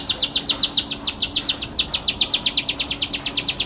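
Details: Bar-winged prinia singing a fast run of short, high, buzzy chips, roughly seven per second, evenly spaced and insistent, with a faint steady hum underneath.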